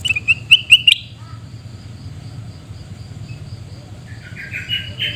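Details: Sooty-headed bulbul recorded in Pidie regency, Aceh, Indonesia. It opens with a fast string of sharp, bright chirps. Faint rising notes follow near the end against a steady low hum.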